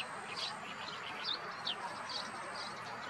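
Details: At a Zagreb gravel pit in Blato, Croatia, on 26 May 2022, a common tern gives clear, shrill, downward-slurred call notes, roughly one per second, above a continuous rushing noise.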